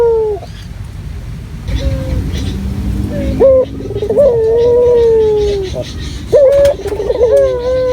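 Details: Local puter dove used as a lure to draw other birds: low, hollow cooing notes with short rising hooks, given in phrases separated by brief gaps, over steady hiss and low rumbling background noise.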